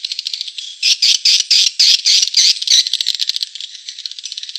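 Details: Swiftlet attraction sound: high, harsh, rattling twitters repeated several times a second, with a louder series of grating bursts in the middle that fade into softer fast clicking.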